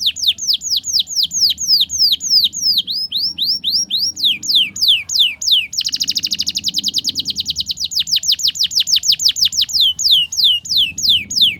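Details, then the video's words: Canary ngriwik song played to young canaries learning to sing. Long run of high falling whistled slurs, then a dense fast trill near the middle, returning to steady repeated downslurs. "Masteran Kenari Paud Belajar Bunyi Ngriwik, Pancingan Kenari Muda Agar Bunyi Gacor"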